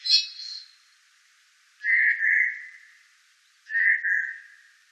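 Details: Eurasian jay in the Wittlicher Tal, 2018, giving hoarse, scratchy rasps. A short high hiss is followed by two drawn-out grating calls about two seconds apart in a quiet setting.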